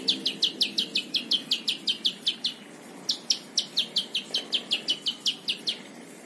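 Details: Plain prinia song for training other songbirds: two long, rapid runs of high, down-slurred whistled notes, roughly four per second, separated by a brief pause, with light background hum.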